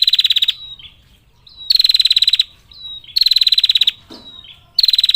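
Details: Female bar-winged prinia giving long 'ngetir' calls to summon males: four high, buzzy, rapidly ticking bursts about half a second each, each led by a thin down-slurred whistle, with a brief click between bursts.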